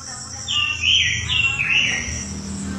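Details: Robin singing: a run of clear, warbled whistled phrases that swoop up and down in quick succession over about one and a half seconds, backed by a steady high insect-like buzz and a low hum.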